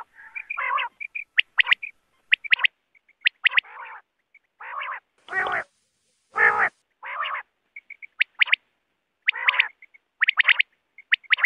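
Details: Quail calls used as a hunting lure: a rapid, irregular mix of short harsh, harmonic bursts and brief high whistled notes, about one a second, with two loud broadband bursts near the middle; no other sounds.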